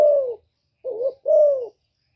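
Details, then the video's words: Female spotted dove kept in captivity, calling to excite males: a long hollow coo sliding downward, a pause, then a short wavering coo followed by another long descending coo, all low-pitched and clean. "Tiếng Chim Cu MÁI GÁY kích trống mới nuôi hiệu quả,cu gáy mái hạp bổi,Cu đất mái gáy gọi kích cu nhà"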